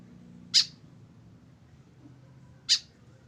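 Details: Tame white-breasted woodswallow, kept alone with no companion, giving two brief grating notes about two seconds apart over a steady low hum.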